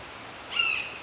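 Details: Red-shouldered hawk calling in woods of hemlock, mountain laurel and ferns at a Connecticut preserve, perched about 30 yards away: a single short, clear, high scream that holds level then fades slightly, over a faint forest hush.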